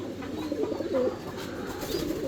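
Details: Fancy pigeons kept for sale, cooing indoors: low, soft, rolling coos with gentle wavering notes, several overlapping, over steady background hiss and room noise.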